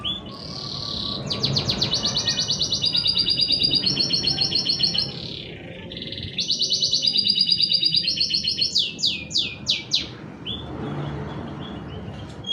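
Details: Canary lure song used to get reluctant canaries singing: long rolling trills in alternating tours, buzzy high passages, a dip, more rapid rolls, then spaced descending whistles, with faint low background hum.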